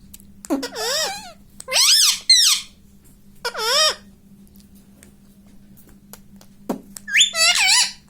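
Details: Talking pet rose-ringed parakeet indoors says "mummy": four shrill, harmonic, wavering squeaky phrases in bursts, a tap, then a last rising squeak, over a constant low hum.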